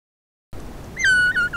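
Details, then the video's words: Young Himalayan snowcock (Tetraogallus himalayensis) calling to congeners on a crest at about 3,400 m, Sarychat-Ertash reserve, Kyrgyzstan, 2016, camera trap: a single clear, drawn-out whistle sliding gently down, rich in overtones, over low hiss. "Himalayan snowcock calls"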